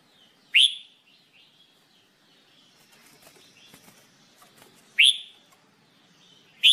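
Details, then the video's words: Red-whiskered bulbul during singing training, giving three isolated, sharply rising whistled notes spaced several seconds apart, with faint clicks and rustling between them. "Red Whikered Bulbul Jambul bulbul SINGING training"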